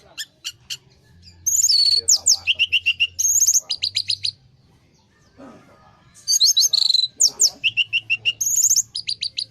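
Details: Orange-headed thrush lure song for a stressed bird that has stopped singing: dense, high rapid trills and clicking series in two long bursts separated by a quieter pause.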